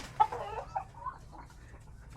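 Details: A hen on a farm where the flock is ill, possibly the one with a lighter comb, gives a quick run of agitated, mid-pitched clucks, the first loudest, then a few softer scattered notes against low background rumble.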